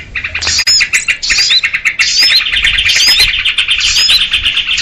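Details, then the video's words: Sooty-headed bulbuls chattering loudly in a lure made for catching small birds: pulsing buzzy notes and bright whistled slurs, several birds overlapping, with faint low thumps beneath. "SUARA PIKAT BURUNG RIBUT || KUTILANG RIBUT || UNTUK PIKAT BURCIL"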